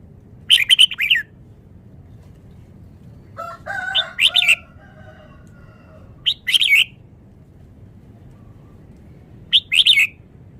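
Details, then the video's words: Vietnamese red-whiskered bulbul singing rapid, melodious song: four short bright warbled phrases spaced about three seconds apart, the second preceded by lower nasal notes, over quiet background. "นกกรงหัวจุก จ้าวมาเฮง นกเวียดนาม ร้องรัวรัว"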